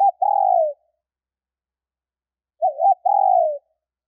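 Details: A female spotted dove calls to stimulate males. A long coo fades out, then after a silence comes a fresh phrase: a quavering double note and a steady, drooping coo. Nothing else is audible.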